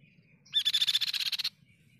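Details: Pipi perak in lively song. It gives a short, dry buzzing trill of fast even pulses lasting about one second, opening with a brief high note, over a faint low hum.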